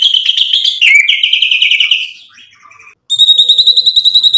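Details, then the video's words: White-rumped shama singing loudly as a provocation lure for rivals: a long, rich, buzzy warbling phrase that fades out, a brief silence, then a fast, even, pulsing trill of high notes. "MURAI BATU GACOR bikin EMOSI lawan jadi NYAUT BUNYI BONGKAR MATERI ISIAN ampuh buat PANCINGAN murai"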